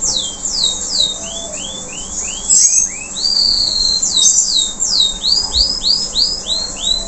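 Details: Canary, a local bird, singing after moulting: series of repeated downward-sweeping whistles, first high then lower and slower, then a fast run of rising-falling slurred notes near the end, with a faint background hum.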